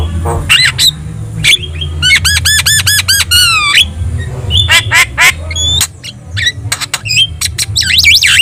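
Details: Javan myna in full song, meant to prompt other birds to reply: a fast series of ringing harmonic arched notes, then loud clicks, squawks and a twisting whistle at the end, over a low hum.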